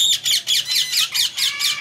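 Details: Pet male Indian ringneck parakeet indoors, recovering from a very hard molt with feathers growing back; loud, harsh, high squawks repeated in a steady rhythm of about four per second.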